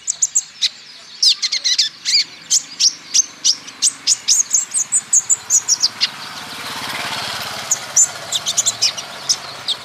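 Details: Olive-backed sunbird song meant to spur other birds into singing: long series of sharp, high chips repeated about three times a second, briefly masked midway by a broad rushing noise, then resuming.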